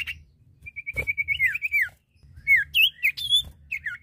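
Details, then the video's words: Lively song from a male and female common iora: a string of short even whistles sliding down, a pause, then varied looping and downslurred whistled notes. "Suara Burung cipoh/sirtu jantan dan betina gacor!"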